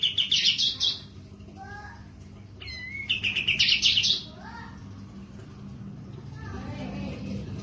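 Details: Kapas tembak in breeding condition with its tail spread: two bursts of rapid high trilled notes separated by a sharp whistle, with softer, lower, sliding calls of other birds in the background.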